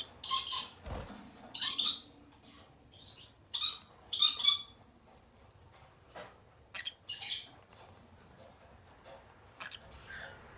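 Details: Captive pair of green-cheeked conures giving harsh, raspy squawks in short bursts of about half a second, four loud ones in the first five seconds, then quieter scattered chirps and squeaks.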